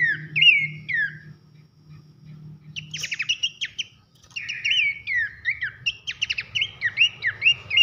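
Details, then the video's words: Abbott's babbler giving a loud whistled song, recorded as training material for contest songbirds: slurred notes falling from high to mid pitch, then a pause and bursts of rapid ticking trills mixed with repeated whistles, over a faint low hum. "masteran nembak nyiul keras khas pelanduk semak"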